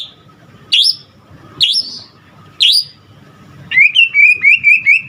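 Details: White-rumped shama, a Medan-type bird, singing vigorously, its song said to be full of borrowed phrases: three loud, high upward-sweeping whistles about a second apart, then a quick run of five repeated chirping notes.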